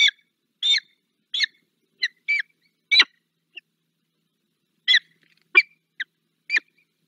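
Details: Peregrine falcon, the female Zdenka on a return visit, Barycz Valley, Poland, 15 February 2023, gives harsh, scratchy calls, about ten short notes in uneven bursts, with a pause of over a second midway.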